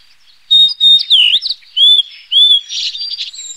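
A Blue-and-white Flycatcher gives clear, high whistled notes in a quick series of slurred phrases, ending in a brief buzzy, scratchy flourish.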